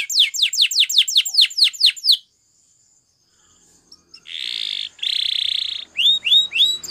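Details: Belgian canary training song meant to set other canaries singing: a quick run of falling whistled sweeps, a short silence, two buzzy rolled trills, then rising-falling slurred notes.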